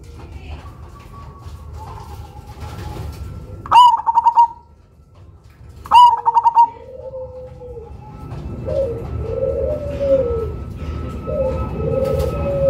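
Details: Cemani zebra dove used as a lure, with a big voice and unusual rhythm: two bursts of a sharp note and rapid bubbling pulses, two seconds apart. Quieter lower coos from other doves and a steady faint hum follow.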